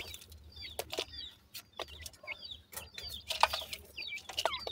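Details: Partridge chicks in a forest giving short, high chirps in loose bursts, mixed with sharp clicks and rustling.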